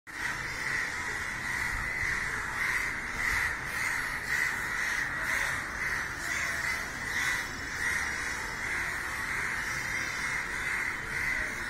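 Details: Hundreds of crows scrambling in the sky and crying as they gather around a dead crow. A dense, continuous chorus of harsh overlapping caws swells and fades roughly every second or so, with no other clear sounds.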